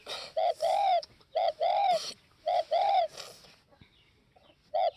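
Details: Spotted dove of Northwest Vietnam uttering three close coo phrases, each a short note and a longer warbling coo, then a pause and one more short note.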